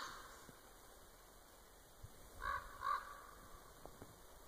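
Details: Raven heard at Winlock, Washington, in March 2017 after coming over to investigate clicking sounds: two hoarse, throaty croaks in quick succession mid-recording against a faint outdoor hiss.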